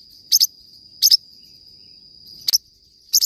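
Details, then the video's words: High, clipped doubled chirps from a Forpus parrotlet, four bursts with gaps of roughly half a second to a second, over a thin constant tone. "forpus bird singing"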